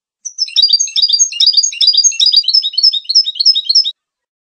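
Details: Goldfinch song: a fast, tinkling stream of high chirps, twitters and short trills, with no pause for about three and a half seconds, against a silent background.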